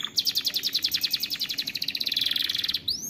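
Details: Caged canary singing a fast trill of bright, high notes repeated about three times a second or quicker, accelerating into a dense buzzy roll, then ending with a quick upward whistled sweep.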